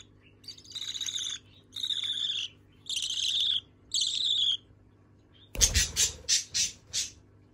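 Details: Young budgerigars asking one another for food: four rasping, buzzy begging bursts roughly a second each, evenly spaced, followed by a sudden loud clatter and a quick run of sharp clicking pulses.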